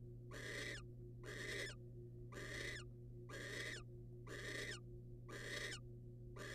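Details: Seven steady, wheezing screeches from a wild barn owl as a male hands a rodent to the female. The rhythm is close to one per second, and a faint low electrical hum runs underneath.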